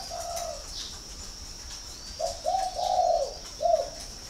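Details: Caged spotted dove of the northern Vietnamese cooing type at Ba Vì, Hanoi; a faint coo early, then a phrase of short and drawn-out low mellow coos, the longest in the middle, against constant hiss and a high steady whine.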